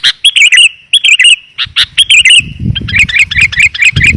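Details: Sooty-headed bulbul (kutilang) lure call for attracting wild birds: bubbly, slurred chirp phrases in pairs, then a quicker run of rippling notes over a low rumble.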